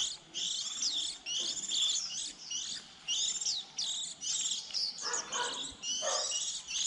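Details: Young white-eyes at the start of the season, as nestlings fledge around April, used as a trap lure: bright, high squeaky twitters in short bursts, each under a second, separated by brief silences.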